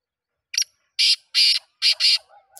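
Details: Black francolin calling once: five coarse, grating notes (one short, then two long, a gap, then two long), clearly heard, followed by a faint low tone at the end.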